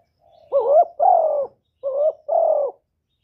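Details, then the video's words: Spotted dove, kept as a cage bird, cooing in the 'thổ thúc' voice. Two paired phrases of low mellow coos, each a short rising hooting note followed by a longer steady one, with a brief gap between the pairs. Clean, quiet background. "tiếng cu gáy giọng thổ thúc và gáy gọi"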